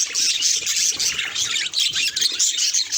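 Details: Pet budgies reacting to their reflection, producing a quick burst of shrill chirps and scratchy, buzzy warbling that rises and falls in loudness.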